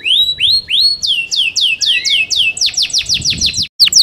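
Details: Yorkshire canary, a kept bird, singing loudly: rising whistled notes repeated in series, then descending sweeps, then a fast dense trill of high chirps near the end.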